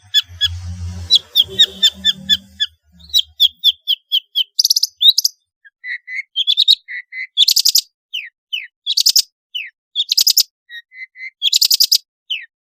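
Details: Long-tailed shrike in lively song with varied fill-in phrases, for luring quiet shrikes to sing; rapid ticking series, short descending whistles and loud harsh bursts, with low background noise at the start.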